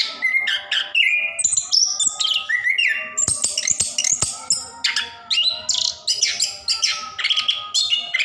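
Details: Orange-headed thrush, anis kembang, in continuous rolling song played to encourage quiet caged birds to sing; dense, rapid medley of high whistles, buzzy notes and clicks with hardly any gaps, a faint steady hum underneath.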